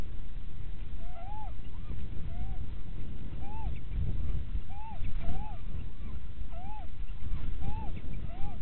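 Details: Little owls pairing at Winterswijk in January 2017 at 17:30; a quick series of short arched mewing notes, each rising then falling, some overlapping, repeated over constant loud wind rumble.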